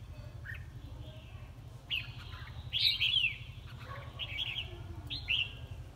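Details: Red-whiskered bulbul singing in a competition: several short, clear warbled phrases with rising and falling notes, the loudest near the middle; constant low mechanical hum in the background.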